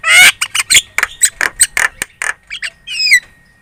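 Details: Javan myna lure song, very chatty, meant to get other birds calling back: a quick run of loud harsh chack notes, a few softer clicks, then a descending squealing whistle.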